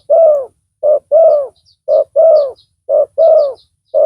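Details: Decoy spotted dove with a big voice, used in bird luring, gives rhythmic low coos, each short hoot followed by a longer bowed coo, with faint thin chirps of small birds above.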